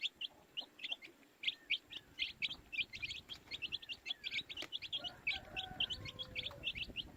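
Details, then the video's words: Constant chatter of baby chicks, loud clipped high peeps repeating several times a second, some brief lower wavering tones appearing near the end. "Baby Chicks Chirping Sounds"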